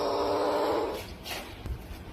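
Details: A pet talking Indian hill myna gives a hoarse, nasal, speech-like phrase lasting about a second, then a short breathy rasp, over quiet indoor room noise.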